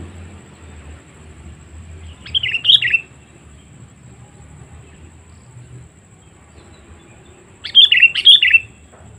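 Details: Wild-bird lure call of a sooty-headed bulbul: two short warbled chirping bursts several seconds apart, the second longer, with soft low hum beneath.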